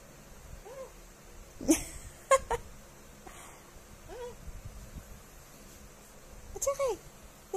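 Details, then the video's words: A young eclectus parrot, 6 months and 12 days old, speaks its first words: three short, nasal, rising-then-falling word-like utterances a few seconds apart, with soft human speech and clicks between them. "Eclectus Talking!!"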